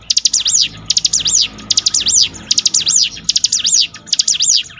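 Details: Loud, high bar-winged prinia song: crisp bursts of steeply rising and falling notes, six phrases evenly spaced about a second apart, used to train a bird's mental toughness.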